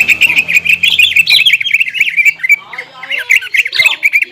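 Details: Greater green leafbird lure song meant to stir a rival male to fight; continuous harsh, squeaky chatter of rapid twittering notes with brief buzzy phrases, dense and unbroken.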